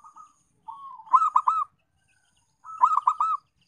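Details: Zebra dove call used as a lure to get reluctant doves calling: two bursts of rolling, stuttered cooing notes, each a quick trill of mid-pitched coos lasting under a second, separated by silence.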